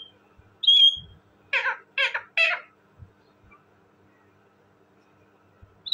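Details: Talking parrot giving a thin high whistle, then three rough, raspy squawks in quick succession. Brief quiet stretches follow, and another high whistle comes at the end.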